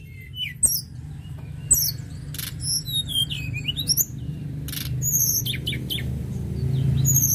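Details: Sunda robin in busy song, a rapid jumble of sharp upslurred and downslurred whistles and chirps at varied pitches, with a low continuous hum growing louder toward the end.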